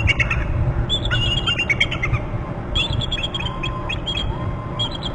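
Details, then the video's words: Pair of bald eagles at a Hornby Island nest territory, both calling after one hops up beside the other: rapid high chattering bursts of squeaky notes repeating in series, over a constant deep wind roar. "eagle on left branch hops up with other eagle both are calling"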